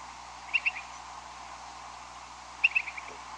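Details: Big flock of upland sandpipers passing over a house on nocturnal migration around 2 a.m. on May 13; two clear, short double notes, quick paired chips about two seconds apart, stand out over a steady background hiss.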